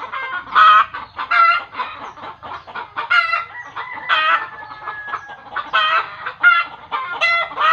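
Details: Chicken giving agitated, repeated cackling calls, which village belief holds happens when it sees a ghost; harsh harmonic squawks in bursts roughly every half second, some notes stretched into longer rising cries.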